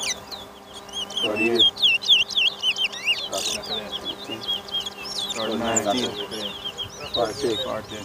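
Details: Chestnut-bellied seed finch, locally called towa towa, in a singing race at Lamaha Street bird ground, Georgetown, Guyana, 2023: rapid high whistled notes, rising and falling, over a crowd murmuring and men talking.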